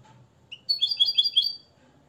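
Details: Short phrase from a Moroccan nest-raised European goldfinch schooled in limpio song: one sliding note, then a quick burst of clear, tinkling, high twitters lasting about a second.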